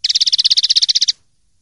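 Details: Common linnet singing in clean style for a 2023/2024 silvestrismo collection: one loud, fast, steady trill of about seventeen bright, buzzy notes lasting just over a second, ending abruptly into quiet.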